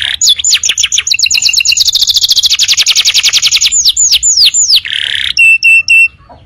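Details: Canary song used as a master recording for training young birds: rapid rolling trills of repeated notes, a long buzzy tour, then descending whistled slurs and sharp metallic chips, loud and clear.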